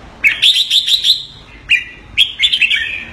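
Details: Caged Red-whiskered Bulbul from Singapore producing keke calls on command: a rapid run of five loud, clipped chirps, then a short pause and a few more squeaky, slurred notes.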